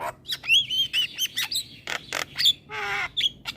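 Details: Chatty caged Javan myna, nodding while singing: wavering drawn-out whistles, loud raspy bursts and a nasal, honking squawk, followed by a few clipped whistles.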